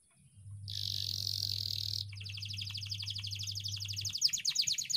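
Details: Canary singing a long ngeroll (rolling) style song, used as a training recording for canaries: a sustained buzzy high note, then rapid rolling trills of repeated notes that grow louder, over a steady low electrical hum.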